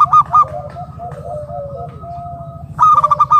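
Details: Local wild zebra dove used as a calling lure: brief pulsed coos, a run of lower wavering coos, then a dense burst of quick staccato notes, with a low hum throughout.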